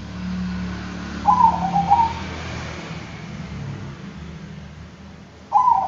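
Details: Bangkok-type zebra dove giving a brief rolling coo of clustered staccato notes, then starting another phrase near the end; constant low background drone.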